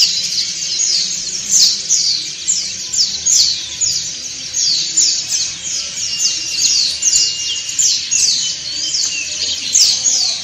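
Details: Many white-eyes, dakun and montanus types, singing together in the ngriwik style for training other white-eyes: dense, very high chirps in quick downward-sweeping strokes, overlapping and repeated several times a second with no pause.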